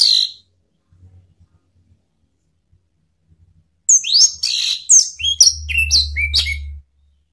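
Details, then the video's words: Orange-headed thrush lure call, meant to provoke rivals into singing. One short note is followed by silence, then about three seconds of quick, varied whistled notes, mostly sliding downward, over a steady low hum. "SUITAN ANIS MERAH MEMANCING LAWAN JADI NGEPLONG"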